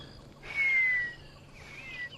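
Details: On a quiet, overcast South African morning after heavy rain, a distant African grey hornbill gives a thin, high whistle that slides gently downward, then a fainter second note; drongos are also calling.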